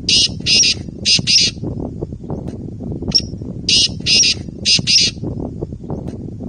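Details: Black francolin (kala teetar) giving its call, locally rendered as "subhan teri qudrat": a harsh, grating phrase of four rasping notes, delivered twice with a brief squeak between, over a loud rumbling background.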